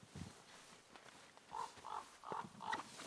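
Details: A Eurasian sparrowhawk, watched from a blind over three days in autumn, sitting in trees, gives four short, nasal mid-pitched notes evenly spaced about every half second, after a faint thump and soft background rustle.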